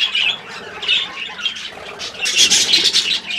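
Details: Pet budgerigars chatter with harsh squawks and chirps, moderate at first, then a louder burst of sharp, buzzy calls in the final second.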